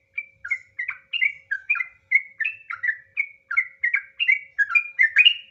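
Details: Trucukan, the sooty-headed bulbul, singing a long ngropel phrase used as a lure to stir other birds: rapid liquid whistled syllables in a continuous rolling stream, each note slurring down, clean with no background noise.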